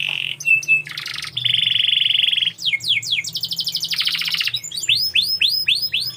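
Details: Canary delivering a steady whistled note, a long buzzy trill, a fast rattling roll, then a string of repeated arching whistles, with a faint low hum in the background.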